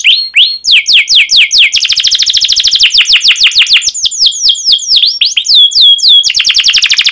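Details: Canary song used to train young canaries: continuous high trilling, fast series of downward-sweeping chirps that change speed, with slower looping whistles in between and no break.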